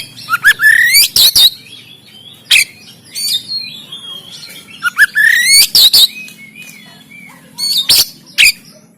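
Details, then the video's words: Oriental magpie-robin from Banten, captured on an Android phone, giving an energetic 'tembakan kasar' song meant to stimulate reluctant caged birds. Phrases of rapid rising whistles end in sharp harsh shots, coming in three clusters with pauses between over a faint low hum. "KACER TEMBAKAN KASAR‼️Full Emosi Dongkrak Kacer Yang Malas Bunyi Dan Buka Ekor"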